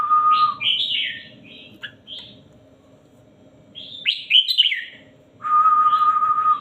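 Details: Tutor-voice song of a red-whiskered bulbul: a long flat whistled tone, then bursts of rich warbling phrases, a pause, more warbles, and another sustained whistle, with a faint hum beneath.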